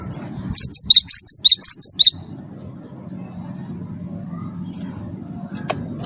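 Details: Champion Cinereous tit of the 'wingko' variety, its song used as a lure for captive birds: one lively burst of roughly eight sharp, high-pitched chirps lasting under two seconds, followed by faint background hum.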